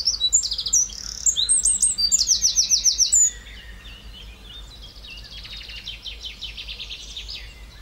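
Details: Eurasian wren song, loud and shrill, with quick high notes running into a fast, rattling trill for about three seconds, then a quieter, more distant trilled phrase continuing to the end.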